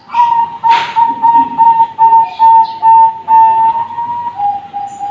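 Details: Zebra dove youngster of the Bangkok line sings a clear, whistle-like string of about a dozen even cooing notes, roughly three per second, with a brief rustle near the start.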